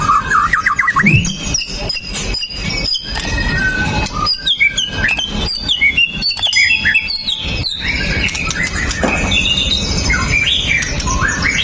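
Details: White-rumped shama, pastol type with sharp shots, singing as a lure to rouse other males, captured on a phone: rich varied song of quick whistles, jumps and rolling notes, with clicks and steady hiss behind.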